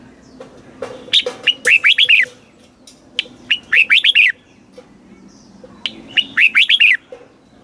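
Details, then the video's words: Caged red-whiskered bulbul song in the southern style, used to rouse birds and teach chicks: repeated bursts of fast, tumbling whistled notes, each introduced by a single sharp chip, three phrases in all. "เสียงนกกรงหัวจุก สำหรับต่อ หรือ เปิดให้นกคึก เสียงเพราะๆ"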